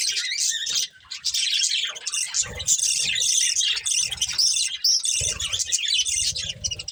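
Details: Breeding pair of budgerigars chattering while eating, a rolling stream of buzzy warbles and short whistled chirps, with low rustling knocks in the background.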